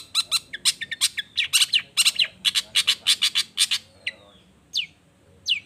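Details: Long-tailed shrike song used to provoke others to respond: a fast stream of harsh, rasping chatter notes, followed by three separate sharp rising whistled squeaks spaced about a second apart.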